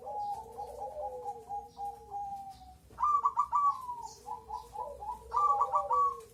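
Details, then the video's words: Crossbred zebra dove singing: a long, steady cooing note for about three seconds, then quick stuttered coo phrases that break into short rolling notes, repeated twice, with a faint background hum. "BURUNG PERKUTUT CROSING/SILANGAN GACOR RAJA"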